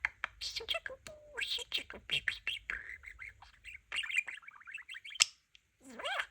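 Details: Pet budgerigar, a talking parakeet indoors, chattering in fast clicks and warbled notes, with short whistled phrases and buzzy rising sounds near the end; a person's voice speaks nearby.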